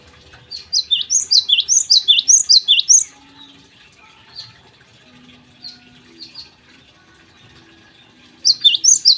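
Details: Java sparrow singing in the morning: a fast run of high, down-slurred chipping notes, about six per second for two seconds, then a quiet stretch with faint distant chirps before a fresh burst at the end.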